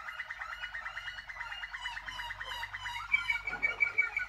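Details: Waterslager canary song from 2019: bubbling, gurgling pulsed rolls at a fast even pace, followed by sharper repeated clear notes over the final second.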